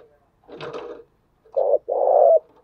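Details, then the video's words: Spotted dove calling as a lure, with thúc, gù and gáy gọi styles; a brief rough burst of other sound comes first, then a short low coo and a longer, steady, mellow coo. "Chim cu gáy chơi đủ bài thúc gù gáy gọi toàn bộ vdeo, dùng kích bổi thì phải nói hiệu quả"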